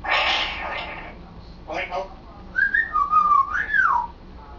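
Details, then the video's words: Pet African grey parrot practising talking at home: a few speech-like syllables, then clear whistled notes that rise and fall in smooth slurred sweeps, in a quiet indoor room. "African Grey Sambuka trying to talk and succeeding!"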